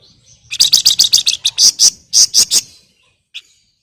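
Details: Flamboyan female calling a male, in an active, chattering ngebren style: a rapid, irregular run of about a dozen harsh, buzzy high notes lasting two seconds, ending with one short isolated chip.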